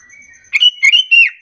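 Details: Lure call of a sooty-headed bulbul, used to draw answering calls from other bulbuls; three quick, whistled, slightly warbling notes in rapid succession after a soft high tone.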